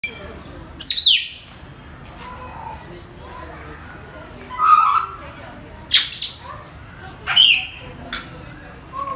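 An African grey parrot gives five short bursts of mimicry, some sharp falling whistles and some raspy, speech-like squawks, a second or two apart over a low indoor hum.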